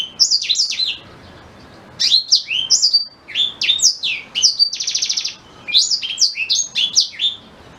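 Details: Black-throated canary singing in several quick high-pitched bursts separated by short pauses. The bursts mix sharp slurred whistles with one rasping buzzy note midway. The song is used to tutor a white-rumped shama.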